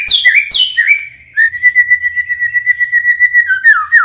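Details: Tutor song of a champion Medan white-rumped shama, used to train young birds and get them singing: a few bright swooping whistles, then one long level whistle pulsing rapidly for two seconds, ending in falling twisting notes.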